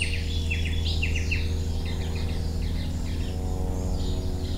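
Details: Allen's hummingbird, a mother with chicks aged 12 and 14 days; a quick run of paired, sharp chips in the first second and a half, then fainter twittering under a constant low drone.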